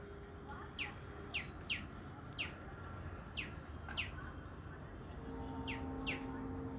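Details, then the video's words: Tailorbird giving sweet chirps: short, sharp, downward-sweeping notes spaced irregularly, about eight in under seven seconds, fairly faint over a low steady hum and background rumble. "Orthotomus( tailor birds) : enjoy the sweet chirping sound of these birds"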